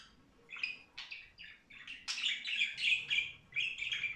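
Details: A budgerigar warbles, starting with a few separate chirps and then building into a fuller, continuous run of rapid twittering and squeaky notes.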